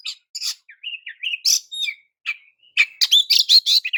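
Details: Oriental magpie-robin singing to provoke other magpie-robins: short chirps and whistled slides building into a dense, fast run of sharp buzzy notes at the end.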